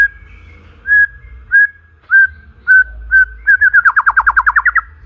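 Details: White-rumped shama (murai batu) song played to provoke other birds into singing: a series of clear, steady whistled notes, then a rapid run of about a dozen quick, evenly repeated rising notes at the end.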